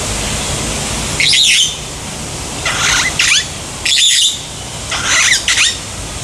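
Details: African green pigeon (Treron calvus) at Umgeni River Bird Park, Durban, 12 December 2015: four harsh, squawky bursts mixed with short whistled notes, spaced about a second apart, over a steady low background hum.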